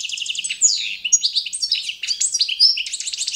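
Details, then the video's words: European goldfinch of the Balkan form, Carduelis carduelis balcanica, singing competition-standard song for training: a dense run of high twittering notes, rapid trills and bright slurred whistles, continuous throughout. "CD za skolovanje štiglića Carduelis balcanica- goldfinch song - World Championship"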